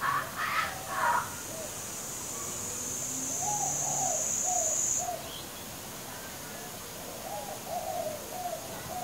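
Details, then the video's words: Hungry young kookaburra sitting on a clothes hoist gives low, weird gurgling chuckles about twice a second, with a steady high insect-like hiss in the middle and a few sharp knocks at the start; kookaburra. "Baby kookaburra makes a weird noise"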